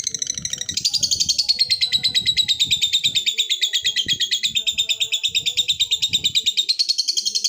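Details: Lovebird in a long ngekek trill aimed at a rival: a sustained shrill chattering rattle, about three pulses a second, dipping then rising again in pitch, with faint low voices and hum behind.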